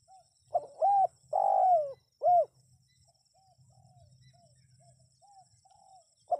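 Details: Spotted dove cooing, played to draw wild birds into responding: three loud, arched, hollow coos in quick succession, the middle one long and drawn out, followed by softer, shorter coo notes and a final loud coo.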